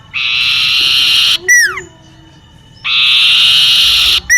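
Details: Common iora in a garden near a home, giving a long, rasping trill and a falling whistle. A second trill starts after a short quiet gap and ends in the start of another whistle.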